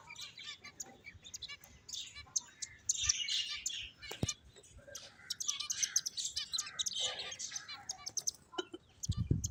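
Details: Quieter finch chatter, bursts of high chirps and short buzzy trills coming and going, with a single sharp click and a low thump near the end.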